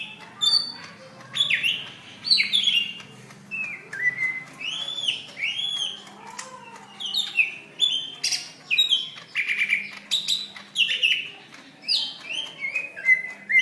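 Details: Fighting call of a greater green leafbird, May 2016, used for training other birds: a long run of varied whistles, chatters and harsh squawks in rapid, energetic phrases with brief gaps, over a quiet background.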